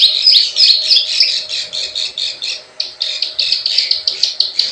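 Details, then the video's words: Plain prinia calls used as a lure, klik klik and ciwah style, a run of harsh, high chattering notes at about three per second with a brief pause near the end. "SUARA PIKAT PRENJAK SAWAH_KLIK KLIK_CIWAH"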